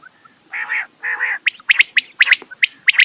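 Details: Rain quail (bedana, batair): two drawn-out rasping notes followed by a rapid string of sharp, bright doubled clicks.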